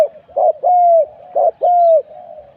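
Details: Spotted dove used for decoy luring: two mellow cooing phrases, each a short burry note followed by a long, smooth, slightly falling coo, closed by a faint low murmur.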